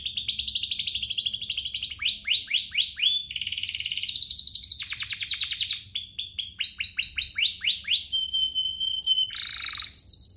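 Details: Canary singing as a provoking bait track meant to rouse other canaries: varied rapid rolled tours of buzzy trills, fast downward-sweeping repeated notes and a steady whistled tone, changing phrase every second or two.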